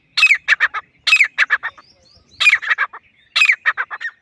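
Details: Grey francolin, also called grey partridge or teetar, calling loudly: bursts of harsh, ringing notes, each phrase starting with a strident rising note and followed by a rapid run of clipped notes, repeated roughly every second with short pauses.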